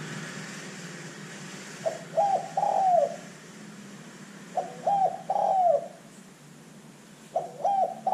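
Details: Calling spotted dove played to lure other birds: three cooing phrases, each two or three short stuttering coos then a longer falling croon, about every two and a half seconds, over a low background rumble.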